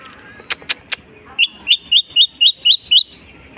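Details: Long-tailed shrike imitating other birds: three dry clicks, then seven crisp, upturned whistled chips repeated evenly, roughly four per second.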